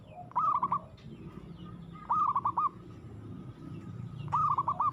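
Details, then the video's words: Zebra dove in aggressive song: three short phrases of rapid rolling coo notes, each with four or five pulses, spaced about two seconds apart over a low rumbling background. "suara perkutut gacor agresif mental baja"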